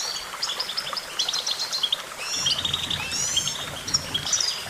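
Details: High, bright goldfinch twittering in quick bursts of tinkling and rattling notes, with a low rumble entering halfway through.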